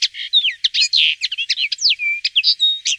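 A common linnet sings a fast, twittering run of chirps, trills and short whistled slurs, high and varied, with no other sounds.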